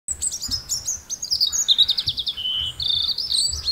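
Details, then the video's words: Robin singing a continuous, varied high warble of rapid twittering notes, thin whistles and trills, phrases shifting in pitch and running without pause for nearly four seconds, with faint low rumble beneath. "Beautiful singing of robins"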